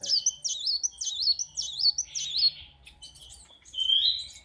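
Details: Kolibri wulung sunbird kept at a workshop gives its morning song: a series of five or six quick, looping, high twittered phrases, then scattered chips and a drawn-out rising whistle.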